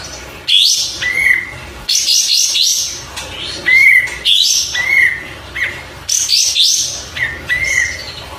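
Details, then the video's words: Oriental white-eye singing in repeated phrases, each a quick jumble of high twittering notes followed by a lower, slurred whistle, about every two seconds. "Suara Burung Kapas Tembak"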